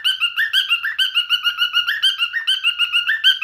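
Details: Pet male cockatiel in song, giving quick repeated chirpy whistles at a lively, even pace, each note slightly rising and falling.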